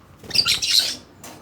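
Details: Loud, scratchy warble from a pet budgerigar, a rapid jumble of high chirps for almost a second, followed by a brief softer squeak.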